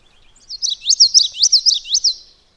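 Common Yellowthroat song: five or six bright, high, rolling phrases, witchety-witchety-witchety, about three each second for nearly two seconds. No other sounds are heard.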